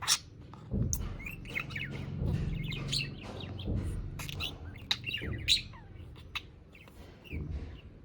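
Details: Pet budgerigar reacting to a fake toy bird, chattering in quick, scratchy chirps and squeaks, over low thumps and handling noise. Budgerigar.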